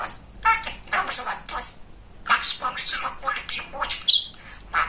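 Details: Pet male budgerigar, a talkative talking bird, producing throaty speech-like phrases mixed with high squeaks and clicks, in two bursts with a short gap.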